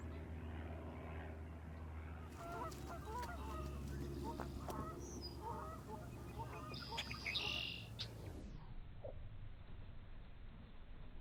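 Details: Common Grackle calling while performing a display: a busy run of short clicky chips and squeaks, with a loud harsh squeal near the seventh second, over a steady low background hum.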